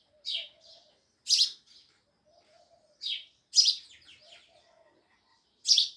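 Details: Loud sparrow chirping: bright harsh chirps followed by softer twittering notes, with faint low warbles from another bird.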